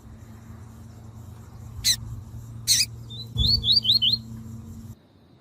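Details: Tui tui song style from a captive Double-collared seedeater, for training and warming up males: two clicks, then a clipped note and four quick upslurred whistles above a steady low hum.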